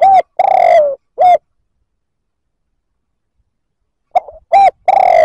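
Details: Spotted dove cooing to provoke rival males: loud, hollow mid-pitched coos, a short note, a longer drawn-out coo and another short note, then silence before a second burst of short and long coos.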